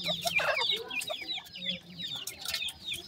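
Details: Grey francolin chicks, described as a baby pheasant's sweet voice, giving a dense chorus of thin, high cheeping notes, many short downward-slurred peeps overlapping rapidly, with a few lower clucking sounds and brief louder bursts.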